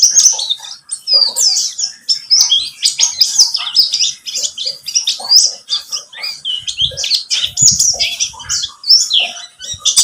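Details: Lure recording of a pleci buxtomi white-eye meant to prompt singing: a dense, unbroken stream of high, sharp chirps and twittered notes running throughout, bright and hurried.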